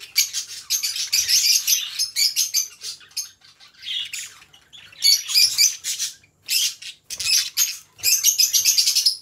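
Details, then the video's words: Two pet budgerigars kept as companions, chattering in dense bursts of scratchy, buzzy warbles and high tweets, coming in quick clusters separated by brief pauses, with no other sounds. "2 Hours of Budgie Sounds: Birds Singing You to Sleep"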